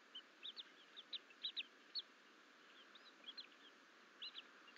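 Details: Two bald eagle nestlings, alone while the mother is away in April, give high, thin chirps in uneven clusters, some doubled, with short upward slurs, against a soft steady hiss.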